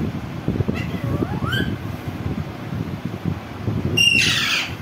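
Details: Green parrot giving a single harsh, raspy screech near the end, preceded by a few faint thin whistled notes, over steady low rumbling background noise.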